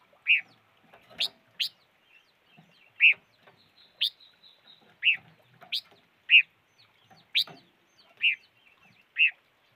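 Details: A five-coloured bird repeats brief chipping calls about once a second, alternating lower rounded chips with thin higher ticks, against a faint noisy background.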